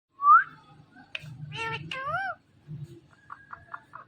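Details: Indian ringneck parrot kept as a pet, talking: a sharp rising whistle, then several speech-like syllables with strong harmonics, followed by soft short whistled notes in a small room.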